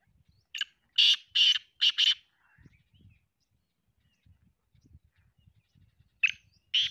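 Black francolin giving its harsh, grating call, a quick series of four loud rasping notes, with two more after a pause; faint low rumbles underneath.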